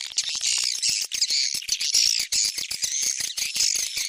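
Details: Edible-nest swiftlet call used to attract swiftlets: dense, continuous high buzzy chittering and rapid clicking twitters, pulsing in quick bursts with brief dips, no other sounds.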